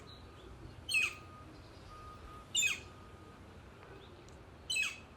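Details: A Northern Flicker, thought to be a female calling for a mate, gives three loud, harsh, high calls that fall in pitch, spaced about two seconds apart, over a faint steady hum.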